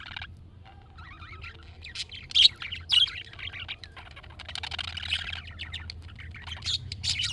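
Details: Pet-budgie response call of a budgerigar: quiet start, then two sharp chirps, followed by a dense, continuous, buzzy warble that grows louder toward the end.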